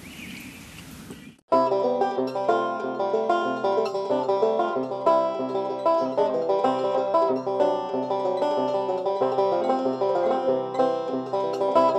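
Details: Bright plucked banjo music with steady rhythmic picking fills the recording after a brief noisy opening second.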